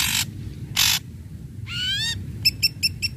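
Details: Ashy Drongo song used to get silent drongos singing: two harsh hissing blasts, a rising multi-toned whistled sweep, then four short bright ringing notes in quick succession.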